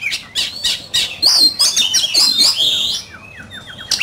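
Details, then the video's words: Oriental magpie-robin in a heated singing contest, pouring out bright whistles, squawky notes and fast rising-falling slurs, then a quieter run of short descending chirps repeated near the end. "Chòe Than,Bộ Đẹp,Hót Đấu Căng Lửa"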